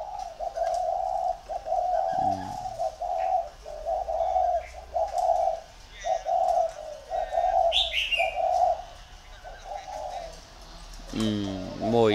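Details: Two decoy spotted doves compete, trading low hoarse cooing phrases in a steady run of short notes, roughly one per second, broken by a brief human voice and a higher chirp near the end.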